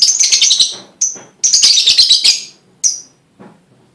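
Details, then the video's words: Lovebird song used as a pancingan to prompt other lovebirds to sing: loud, shrill, high chattering bursts of rapid buzzy notes, broken by short pauses and a final sharp chip, then a faint lower note. "bunyi pancingan love bird"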